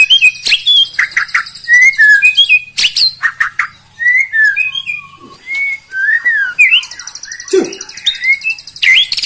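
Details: White-rumped shama in full song packed with rapid bursts, used to rile up rival birds. Rich, varied whistles, slurred notes, sharp chips and fast buzzy high trills follow in quick succession over a faint low hum.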